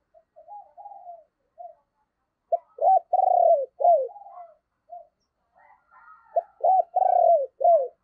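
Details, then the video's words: Spotted dove decoy calling wild birds in the morning, giving soft introductory coos followed by two loud phrases of hooked notes and a long, throaty falling coo, the second about four seconds after the first. "cu gáy - Chim Cu Mồi Thúc Và Gáy Gọi Bổi, Dùng Kích Bổi Vào Buổi Sáng Rất Hiệu Quả"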